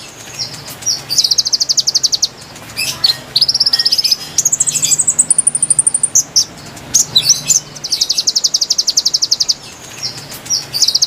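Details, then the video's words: Konin song used as a lure for wild birds: rapid buzzy trills of high, evenly spaced notes in bursts of one to two seconds, broken by short sharp chirps and brief whistled slides, over a quiet background. "MASTERAN GACOR PIKAT KONIN KONIN LIAR | KICAU MERDU ASLI SUARA BURUNG"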